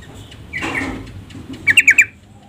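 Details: Female yellow-vented bulbul calling the male to prompt him to sing; a faint blurred chirp, then four sharp, harsh chattering notes in quick succession over a low background hum.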